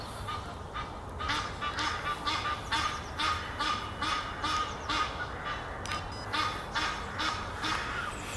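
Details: Near Henley upon Thames, two Egyptian geese court up in a tree. They repeat hoarse, clipped honks in an even pulse of just over two per second, and their mingled calls form a continuous noisy cackle.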